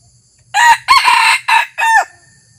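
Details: Red junglefowl used as a decoy on its first outing, luring wild birds with a crow: four loud raspy bursts, short at the start, a longer double section, and a final drawn note bending downward.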